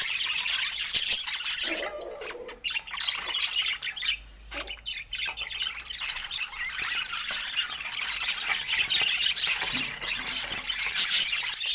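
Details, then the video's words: Flock of budgerigars chattering while sharing fruit: long, dense high warbling with raspy squawks, a short lull and a few clicks before the busy twittering builds again. "Cute Budgies Sharing Fruits with Funny Happy Sounds"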